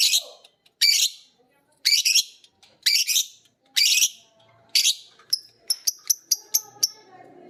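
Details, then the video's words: Pet lovebirds, biola green and PB Piet, learning from each other to ngekek after hearing a master call: harsh buzzing chatter bursts repeated about once a second, then a quick run of thin high chirps. "saling belajar ngekek denger masternya bunyi"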